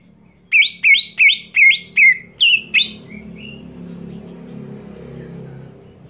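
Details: Provoking scream of a greater green leafbird: seven loud, evenly spaced notes, each swooping up then down, delivered at a steady clip, followed by a soft low background hum.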